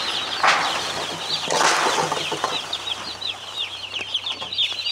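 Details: Day-old chicks in a poultry setting: a crowd of shrill, high peeps pouring out rapidly and overlapping in a continuous chorus, broken by two loud rustling, flapping bursts near the start, with a low steady hum beneath.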